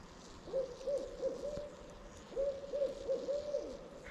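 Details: An owl hoots at a camper in a snowy campground on a cold winter night beside a campfire. It gives two quick runs of four soft, low hoots, each run lasting about a second, against a quiet night background.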